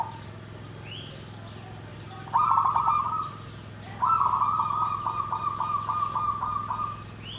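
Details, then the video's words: Zebra dove song described as nggandem gedhe garing: two bouts of rapid, pulsed, trilling coos at a steady mid pitch, the second longer and slightly stuttered, over a constant low electrical hum. "SUARA PERKUTUT GENDOWO SABDO || NGGANDEM GEDHE GARING"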